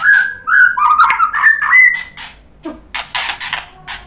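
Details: White-rumped shama singing to provoke rival shamas into answering; clear mid-pitched whistled phrases with slurred notes for two seconds, then a gap and a burst of harsh, rasping chatter.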